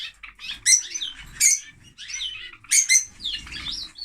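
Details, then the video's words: A noisy male lovebird, whose female died after laying eggs in winter, chatters in quick bursts of shrill, squeaky chirps and twittering notes, about one burst every second, with soft low fluttering or rustling between them. "Love Bird singing"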